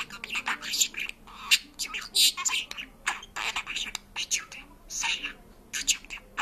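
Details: Georgian talking and singing parrot delivering a lengthy run of rapid, whispery speech-like syllables indoors.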